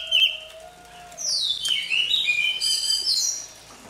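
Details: Morning voice-warming song of a newly caught Oriental magpie-robin: a brief sharp note, then a flowing high twittering phrase with sliding whistles and buzzy trills, moderately loud.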